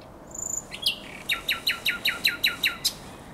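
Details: Common nightingale song at night on the Żerański Canal, 23/24 April 2022: a thin high whistle, then about nine loud, evenly spaced, sharp down-swept notes repeated roughly every fifth of a second, with quiet background.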